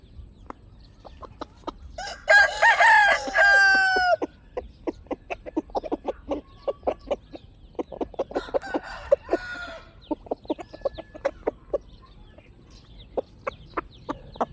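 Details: Chickens squawk loudly in a harsh wavering burst lasting about two seconds, then cluck rapidly in short repeated notes, with a second squawking outburst midway and steady clucking continuing to the end.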